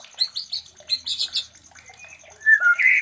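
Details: Short high chirps in quick sequence, then louder full whistled notes from a white-rumped shama giving mating sounds used to make other shamas ready to breed.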